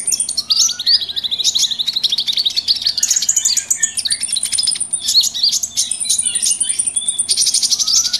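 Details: Mixed small birds calling together in the wild as a trapping lure, a thick, busy wall of high, sharp chirps and thin sustained whistles with scattered lower slurred notes.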